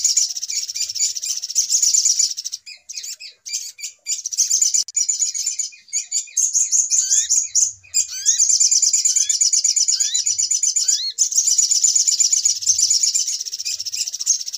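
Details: Noisy 'pikat ribut' trapping lure of the little spiderhunter: long, almost continuous shrill chattering, broken by brief gaps and scattered rising whistled slurs in the middle section.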